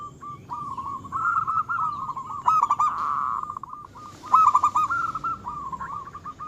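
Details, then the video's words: Local zebra dove song, kept lively to provoke rivals and heighten their breeding urge: continuous rippling coos on a level pitch, swelling into a louder trilled phrase midway and another loud burst later. "Suara kutut lokal gacor yang bikin emosi lawan ahlinya menaikkan birahi lawan"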